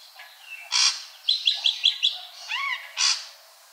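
An ashy drongo's varied song: harsh, scratchy bursts around a quick run of five sharp high notes and a few wavering, bending whistles.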